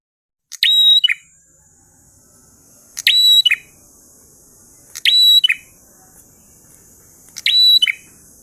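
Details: Repeated ngalun-style song of a prinia: four phrases roughly every two to two and a half seconds. Each is a clipped high note, then a held level whistle and a quick falling end, over a steady high-pitched hiss.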